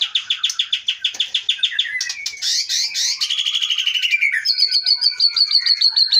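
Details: White-rumped shama from the Leuser mountain area of Aceh, caught wild in 2010–2011, singing rapid repeated notes, a rattling trill, then a long high, even chattering series.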